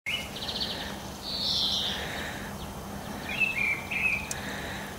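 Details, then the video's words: Mistle thrush singing in the morning, late March and mid-April: short, loud, fluty phrases separated by brief pauses, some rising and some scratchy, over a steady rushing background hum. "Misteldrossel mit Gesang"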